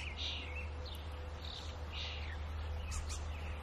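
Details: Robin chicks being fed by their mother give faint, scratchy, high-pitched begging notes in short bursts about every half second, over a steady low hum.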